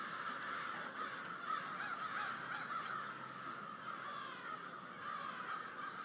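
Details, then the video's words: Large flock of crows calling during the snowstorm Nemo just before dark in Waterbury, Connecticut: a dense, continuous chorus of harsh overlapping caws with no clear gaps, over steady background noise. "Creepy Crows"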